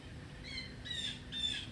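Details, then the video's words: Blue jays calling in the background of a hummingbird garden on September 8: two faint, harsh, harmonic squawks spaced about half a second apart, over a quiet outdoor hush. "You can hear the blue jays."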